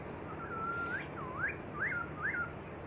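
A white-rumped shama sings clear, rich whistles: a long level note, then three quick slurred notes rising and falling, over a soft steady hiss.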